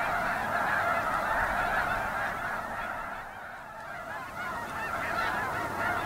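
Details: Snow geese in a crowded chorus of rapid honks, quickly repeated nasal yelps from many birds. The volume dips briefly midway, then the honking swells again.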